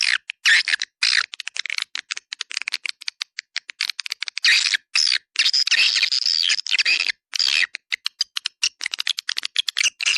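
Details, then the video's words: Attraction call of swiftlets: a thick stream of rapid clicks and rasping twitters, bunched into brief noisy bursts, all sharp and high with very short silent gaps. "SUARA PANGGIL WALET DUA BIDADARI RESPON TERBAIK"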